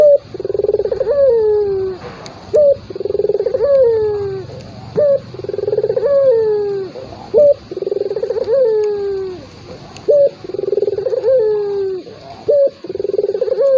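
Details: Turtle dove calling repeatedly, used to stir a reluctant rival to answer: about six steady phrases, each a short bright note followed by a rolling pulsed trill and a long falling coo, with low background hum.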